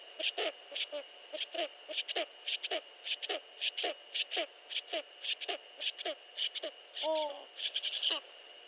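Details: Eurasian eagle-owl heard at 5.31 AM, before dawn, on 15 March 2013, uttering a long series of short, harsh, falling notes nearly twice a second, broken by one louder wavering whine, with constant electronic hum behind.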